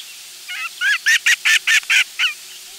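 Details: Loon family of two parents and a chick on their last day at the nest, nest camera, July 16, 2024. A quick series of about eight short, wavering, bright notes, evenly spaced and growing louder in the middle.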